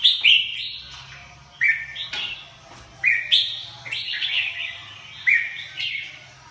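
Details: Lively red-whiskered bulbul phrases: sharp rising whistles followed by fluty, slightly buzzy warbles, recurring about every one and a half seconds with a little echo and a soft background hum.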